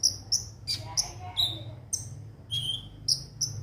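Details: Konin (sunbird) song for lure training: a few sharp, high chirps and short falling whistles in quick succession, with a faint low hum.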